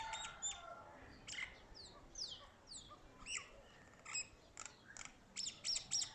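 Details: Mynah bird calling with a varied mix of chirps, downslurred whistles and clicking notes in quick irregular succession, scattered across several seconds.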